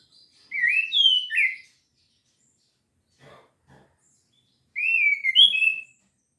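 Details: Orange-headed thrush performing 'gacor teler' song with full repertoire: two short phrases of swooping, slurred whistles about four seconds apart, separated by near silence with a few soft low taps.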